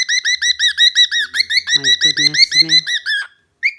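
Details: Grumpy pet cockatiel complaining about being denied its owner's food; rapid, evenly spaced shrill chirps, nearly three per second, with a woman speaking softly beneath them midway.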